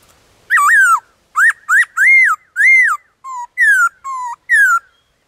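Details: Loud, pure whistling from a black-throated laughingthrush in the wild, a chain of about nine phrases: curved up-and-down whistles, short sharp upslurs and two lower level notes, clean and without other sounds.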